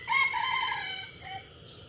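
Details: Junglefowl kept as a lure for trapping, giving a brief crow: a loud, harsh, harmonic-rich phrase held for about one second, then fading into a short, softer closing note, over a quiet background.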